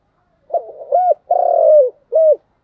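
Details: Single thúc gù phrase of a spotted dove in continuous cooing: a stuttered opening note, a rounded coo, a long wavering coo gliding downward, then a short end coo.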